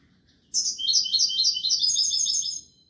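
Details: European goldfinch song: a continuous two-second run of quick, high, liquid twitters and trills that steps slightly downward, over a soft low background hum.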